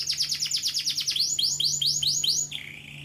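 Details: Singing canary: a quick run of falling high notes merges into looping upswept syllables repeated about twice a second, ending in a lower, level buzzy phrase; a steady low hum runs underneath.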